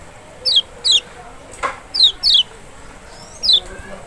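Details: Lemon-bellied white-eye, kecial of Lombok or Sumbawa, played to make an unwilling bird respond: paired high notes that sweep steeply downward, separated by short gaps, with a brief click midway.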